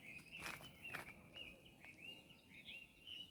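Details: Birds heard in nature at Hac Sa, Macau: bright, high, slurred chirps follow one another about twice a second, with a few sharp clicks and soft background noise.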